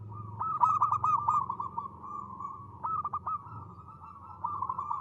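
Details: Local zebra dove, an actively singing bird with a crisp 'ngristal' voice used as a lure: clipped cooing notes in a quick burst, then a long rolling trill, repeated twice more with faint low background hum.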